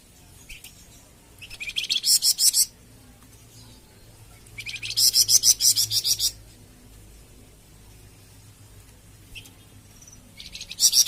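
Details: Flamboyan bird song, offered for training captive birds (masteran) and prompting them to sing (pancingan): three bursts of rapid, buzzy, high chattering notes, each lasting about a second, separated by quiet gaps, with faint short chirps between.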